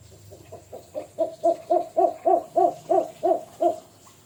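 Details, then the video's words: Jujuk bird, also named Tatapaian locally: a fast, even series of deep, hollow hoots, roughly three each second, building in loudness and tapering off at the end. "Akhirnya punya suara juga burung ini"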